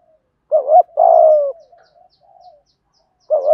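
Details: Spotted dove cooing in the 'thổ thúc gù' style used to make captive doves coo. A brief double note leads into a steady, low, sustained coo that trails off, followed by soft mutters and a new phrase.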